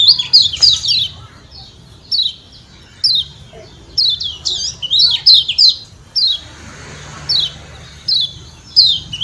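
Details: Yellow white-eye (kecial kuning), Lombok, repeating 'ciak ciak' calls that trigger other white-eyes to respond: rapid, irregular high downslurred chirps, sometimes in quick clusters, sometimes single, with a faint background hum.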